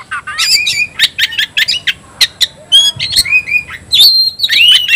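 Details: Kacer, or Oriental magpie-robin, screaming to provoke a rival into fighting: rapid repeated chips followed by long clear whistles and upward-sweeping slurred notes.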